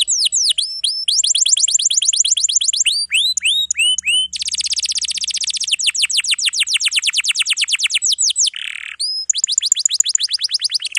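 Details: Canary master song with tightly packed phrases for young or silent birds: ringing hooked whistles, long rapid rolls of falling notes, a nasal buzz, then more fast trills.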